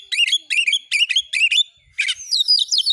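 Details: Oriental magpie-robin (kacer) singing for training: four quick repeated whistled phrases, each a stacked rising burst, followed by a scratchy burst and a descending string of bright whistles, background quiet.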